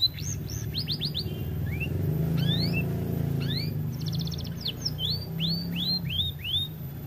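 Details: Singing canary, said to sing little because it is overweight, giving separated upward-sweeping whistled notes, a short rattling trill and repeated curved chirps, with a steady low rumble of background noise beneath.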